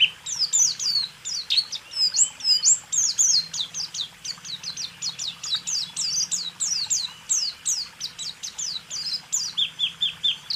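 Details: White-eye song used to train caged songbirds: a long continuous stream of high quick sweeping and chirping notes, tumbling and varied, over a faint low hum and hiss.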